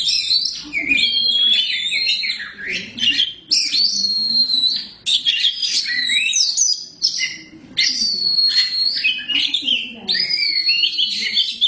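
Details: Kacer hitam (black Oriental magpie-robin) singing gacor without pause: long varied phrases of sweet whistles, slurs and chatter, separated by brief breaks, with low background sounds.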